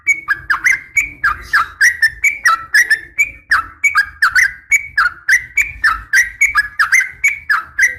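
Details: Female Sooty-headed bulbul calling for a male; a rhythmic series of clear whistled notes, each dipping then rising, delivered about three per second with sharp attacks, steady throughout, with a faint low hum beneath.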